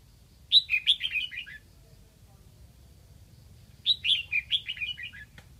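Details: Lạng Sơn decoy red-whiskered bulbul, Vietnam, singing to lure wild birds: a tumbling phrase of five or six descending whistled notes, repeated after a gap of about three seconds, against faint low background noise.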